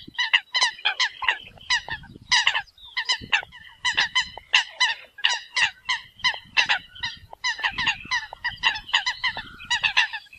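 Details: Several Eurasian coots calling the flock together, a steady stream of sharp, nasal honks in quick succession with overlapping voices and faint low rumbling beneath.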